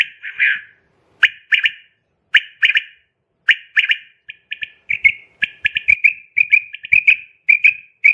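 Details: Female quail call used as a trapping lure: clipped three-note groups at first, then quicker, tighter runs of short chirping notes packed closely together toward the end.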